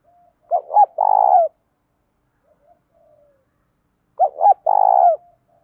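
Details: Spotted dove coo for training and provoking other doves, field-style voice touched with 'thổ': two identical phrases roughly three and a half seconds apart, each two short hoots and a long rolling coo, with faint murmurs between.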